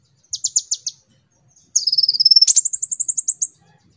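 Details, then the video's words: Lure recording of a konin for training young birds: a short series of five sharp high notes, then a long fast trill that steps up into an even higher rattling run. "Pancingan konin rajin cerewet"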